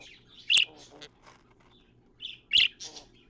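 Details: Pet budgerigar busy cleaning out its nest box: two loud sharp chirps about two seconds apart, each followed by softer buzzy warbled notes, with quiet twittering between.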